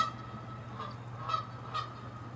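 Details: Canada geese fighting, territorial, with three short nasal honks spaced about half a second apart over a faint low hum.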